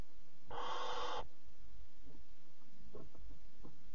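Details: At three in the morning on 26 July 2017, a barn owl mother brings a caught bird to her fourth chick at the nest; a single rasping, broad hiss lasting under a second, then quiet shuffling.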